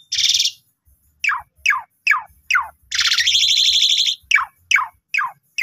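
Asian pied starling giving loud, harsh rasping bursts mixed with quick downward-slurred whistles, repeated about every half second, with a longer grating phrase midway.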